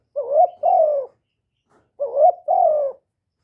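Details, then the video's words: Spotted dove coos twice, recorded without background noise: each phrase pairs a quick rising note with a longer, smooth downward coo, the two phrases separated by almost a second of silence. "Chim Cu Gáy GỌI+THÚC+GÙ hạp bổi kích bổi, Cu Gáy Không Hậu Lỡ, Tiếng cu đất gáy, Cu cườm gáy gù"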